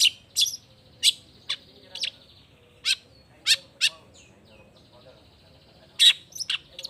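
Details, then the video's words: Vigorous Long-tailed shrike song of loud, scratchy, clipped notes and sharp chirps, delivered irregularly with gaps of up to two seconds, while a thin steady tone hangs faintly behind. "Cendet Gacor Efektif Pagi Siang Sore Rajanya Bikin Cendet Lainya Spontan Nyaut Bunyi Penuh Emosi"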